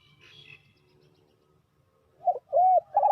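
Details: Spotted dove calling to lure wild doves into a trap; after a near-silent start with a faint high chirp, two or three mellow arched coos arrive at the end, the middle one drawn out.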